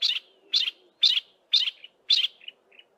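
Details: A yellow-breasted apalis gives part of its duetting call, five sharp, high chirping notes at about two a second ending in fainter trailing notes, but its mate doesn't respond; thick wooded valley west of Grahamstown.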